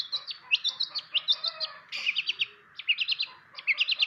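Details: Long-tailed shrike of the pastol type, kept as a tutor for other birds to learn its sounds, delivers rapid bursts of sharp, high, chattering notes in quick clusters of three to five, with brief pauses between bursts.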